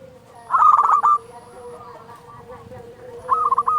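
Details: Zebra dove, a loud local perkutut played to make other doves sing, gives two short rapid coo phrases about three seconds apart, with a steady low drone between them.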